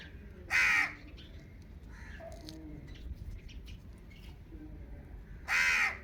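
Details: Indian ringneck parakeet giving two loud, harsh, rasping screeches about five seconds apart, each lasting about half a second, with faint chatter and quiet background noise between them.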